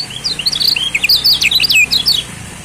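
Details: Lombok yellow white-eye, known locally as kecial kuning, used as a singing lure for stalled birds: one short, dense burst of fast, high-pitched twittering and sliding chirps, with faint low hum beneath.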